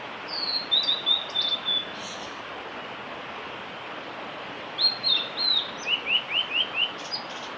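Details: Male blue-and-white flycatcher singing on the Kanazawa forest road at Lake Miyagase, 5 May 2018: two bursts of high, clear whistled notes, the second a sequence of short descending slurs, over steady background hiss.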